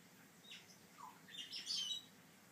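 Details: African grey parrot chick, described as calm and fluffy, giving a few thin high chirps followed by a louder, scratchy, rising squawk burst lasting about half a second, over a quiet background hiss.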